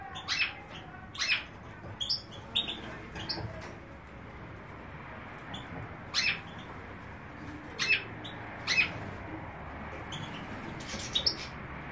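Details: Major goldfinch, a European goldfinch form, recorded in Greece, giving clear, sharp single chirps spaced roughly a second apart, some doubled, over quiet background noise.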